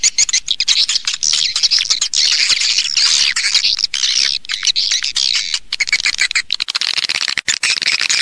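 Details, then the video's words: Lure recording of swiftlets meant to attract them into a house to nest: a thick, unbroken chorus of shrill chirps and twitters, with quick rising and falling notes layered over one another. "ÂM THANH CHIM YẾN HIỆU QUẢ NHẤT"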